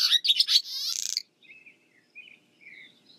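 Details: Barn swallow song: bright, high twittering chirps followed by a buzzy rattle, then softer, scattered warbled notes after a short gap.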